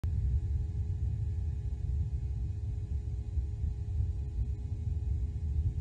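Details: Heavy low-frequency wind-like rumble dominates, with faint hum tones and no animal calls.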